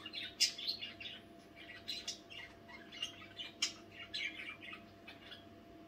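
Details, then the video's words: Budgerigars chattering in the night, a lively jumble of squeaky chirps and scratchy warbles, loudest at the start, then continuing in quicker, softer bursts over a faint hum. "nächtliche Besprechung"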